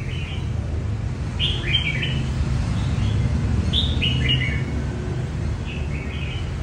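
A red-whiskered bulbul sings short, bright, warbled phrases every second or two over a steady low rumble.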